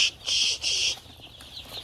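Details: Chicks on a poultry farm, crowded into a box because of the cold, give loud, high, shrill peeps. Two long peeps stand out clearly, separated by short gaps, and fainter peeping continues behind them.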